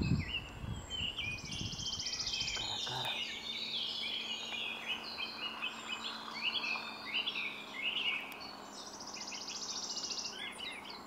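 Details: Red-crested cotinga at Laguna Corani, Cochabamba, Bolivia, in April 2023: two drawn-out, buzzy, finely pulsed notes about a second long, each high and level, with many short chirps and slurred whistles from other birds throughout.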